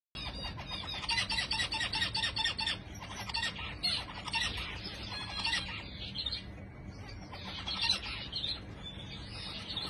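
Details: Zebra finches giving dense, nasal, buzzy chattering calls in rapid overlapping bursts, steady throughout with a low hum beneath.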